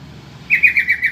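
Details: Yellow-vented bulbul calling to draw replies from other bulbuls: a longer chuckling run of five or six bouncy, slightly descending notes over about seven tenths of a second, clear and close.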